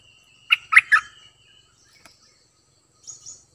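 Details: Cream-vented bulbul kept as a decoy, singing three quick bubbly notes, followed by faint high chirps from another bird.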